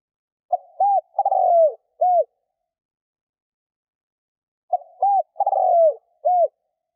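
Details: Spotted dove decoy cooing to attract wild doves: two well-spaced phrases, each with a soft lead-in, a looped coo, a long purring descending coo and a final looped coo, in a clean recording.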